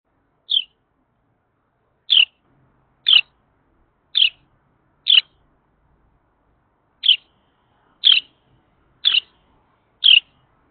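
A Carolina wren gives sharp, high chip notes, nine of them about a second apart with one longer pause, against an otherwise quiet background.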